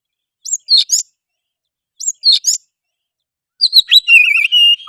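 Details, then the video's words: Oriental magpie-robin singing to goad another bird into song, fighting and tail-spreading: two matching quick chippy phrases about a second and a half apart, then a longer warbled whistle with trilled overtones. "suara kacer gacor pancingan kacer susah on pasti langsung on tarung buka ekor"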